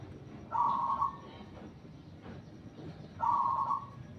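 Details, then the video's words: Zebra dove giving two short, rolling trilled coos at mid pitch, about two and a half seconds apart, over a faint hiss of background noise. "Suara burung perkutut"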